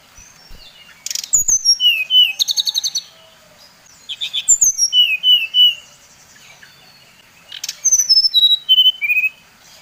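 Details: Lure song of a Bali-type brown-chested jungle flycatcher meant to agitate other birds: three bursts of sweet whistles, each run falling in pitch step by step, with a loud click at the start.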